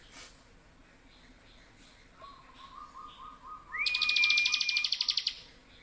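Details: Bar-winged prinia: a soft series of low, even, stuttering notes leads into a bright whistle and a loud, rapid buzzy trill near the end.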